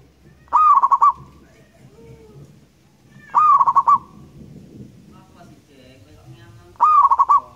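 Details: Repeated song of a natural local zebra dove, used as a lure: three phrases about every three seconds, each an upward coo then four to five rapid pulsed notes. Quiet calls from other birds in the pauses.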